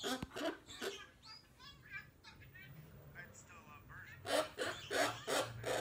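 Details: A young female cockatoo at home murmurs in low warbling chatter, then breaks into a string of loud, grating squawks repeated about three times a second.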